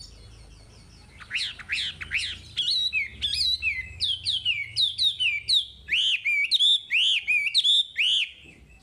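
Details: Chinese hwamei singing on a recording made to train caged birds: after a quiet start, loud repeated whistled phrases build into a lively, rhythmic sequence of looping slurred notes, with faint low background hum.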